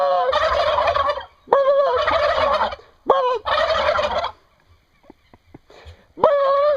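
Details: Domestic turkeys in Brazil gobbling: four loud, dense rattling bursts about a second long each, with short quiet gaps and faint clicks between, the last burst cut off at the end.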